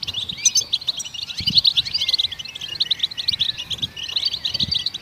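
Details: In the wild, goldfinches chirp to stimulate songbirds: lively high twittering and trills with a few downslurred whistles, several voices overlapping continuously.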